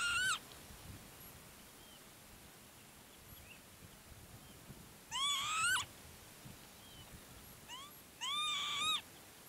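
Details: Northern Lapwing at Herdla Bird Preserve, Norway, standing on an elevated, levelled patch of land, gives three wheezy, slurred 'pee-wit' calls that sweep up then drop, a few seconds apart, over soft outdoor hiss.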